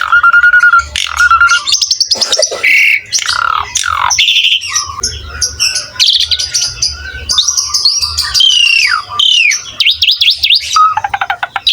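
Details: Asian pied starling singing vigorously: a varied, loud run of clear whistled phrases mixed with harsh, buzzy and rasping notes and rapid chattering, the pitch jumping high and low. A faint low hum sits underneath.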